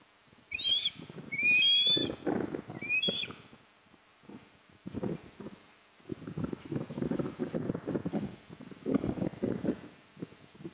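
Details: Osprey at a nest at Port Lincoln on 26 September 2024, as the father arrives with a fish and the mother eats: a burst of high, thin whistled chirps, some rising, in the first three seconds, then rustling, scraping and wind-like noise.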